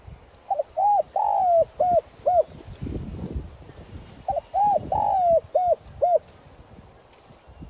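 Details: Decoy spotted dove with a 'son' voice, calling to draw in wild doves: two full cooing phrases, each a short lead-in note, a rounded coo, a long drawn-out falling coo and two clipped coos, separated by a pause.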